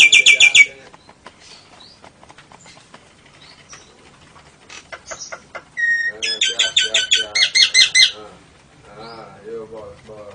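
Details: Nias hill myna with lovebird and canary mimicry. A short burst of shrill chips, then quiet clicks and faint notes, a two-second run of fast, piercing squeaky chips, and soft warbling after.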